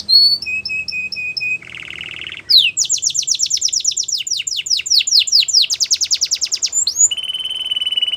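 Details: Canary training song: a run of short repeated pips, a low buzzy rattle, then a long rolling trill of rapid descending notes ending in a steady high trill.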